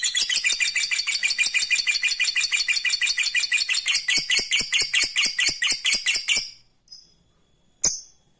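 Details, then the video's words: Lovebird pouring out a long ngekek trill meant to provoke rival lovebirds: a rapid, shrill, evenly repeated chatter lasting over six seconds, then stopping, followed by one sharp chirp. "Suara burung Lovebird ini ampuh bikin lawan jadi ngekek terus"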